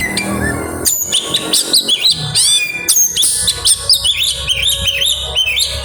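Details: Grabakan singing by an oriental magpie-robin (kacer) with isian: clear whistled notes, then repeated looping rising-falling phrases in quick succession, loud and rhythmic toward the end.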